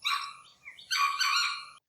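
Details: Sri Lanka junglefowl (Gallus lafayettii) male crows, attracting mates and warding off rivals: a short, abrupt, clipped staccato crow, harsh burst, brief note, then a longer strident phrase, all under two seconds, shorter than red junglefowl's.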